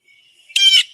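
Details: A single loud, harsh, nasal 'jay' from a Blue Jay saying its own name, about a third of a second long, after a faint thin whistle. Blue jays call loudly like this when a predator, crow, hawk or cat is near.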